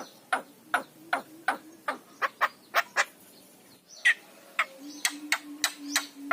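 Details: Javan myna recording used as a lure to prompt reluctant mynas to sing: a steady run of sharp, dry clicking notes about every third of a second, followed by faster clicks over a faint low hum.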